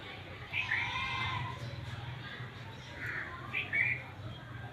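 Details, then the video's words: Black francolin, known locally as Sindhi, mushki or kala teetar, calling: two harsh, buzzy, grating phrases roughly three seconds apart, over a steady low rumbling background. "Black Francolin Voice Sindhi Teetar Ki Awaz Mushki Teetar Ki Awaz Kale teetar Ki Awaz"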